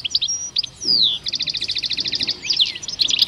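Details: Two male European goldfinches at the Rumbeke bird fair on 16 October 2021 sing a lively twittering song: high buzzy trills, quick rattling note runs and sharp descending slurred whistles, with faint low murmur underneath.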